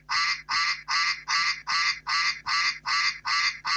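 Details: Duck quacking in a steady, rapid series: harsh, nasal quacks repeated about two and a half times per second, each one of equal length and loudness, with no other sounds.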